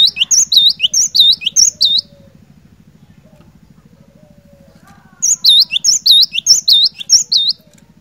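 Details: Cinereous tit singing vigorously: two bursts of quick, high, whistled two- and three-note phrases with swooping slurs, separated by a roughly three-second gap with a faint low hum and soft murmurs.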